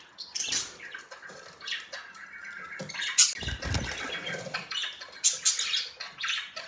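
Budgerigars chatter in quick, scratchy chirps and warbles, with splashing water in the background.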